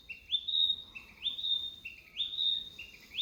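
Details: Small bird singing: a short low whistled note stepping up into a longer, higher, level whistle, the phrase repeated about every 0.8 seconds, four times, over a quiet background.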